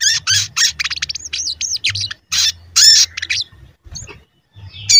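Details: Crested jay (sogon) in full song, used as a lure to prompt other birds to sing: rapid high chirps and looping sweeps repeated in quick bursts, then louder sharp notes, over a steady low hum.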